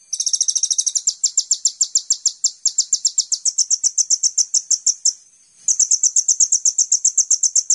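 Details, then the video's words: Van Hasselt's sunbird in full 'gacor' lure song for training other songbirds: a fast buzzy trill slowing into long strings of high, clipped chirps, with a single short pause. "Pancingan Konin Full Gacor Tembakan mewah"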